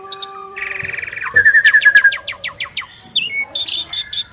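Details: Duet by two Asian pied starlings: a buzzy rattle, then a fast train of about a dozen short descending notes, followed by squeaky whistles and harsh high chattering bursts.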